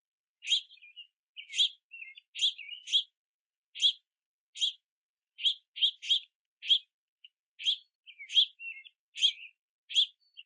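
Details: Several juvenile house finches beg for food at a backyard platform feeder in the rain, chirping and flapping wings at parents gathering sunflower seeds. Sharp high chirps, single or in quick pairs, repeat about every half second throughout.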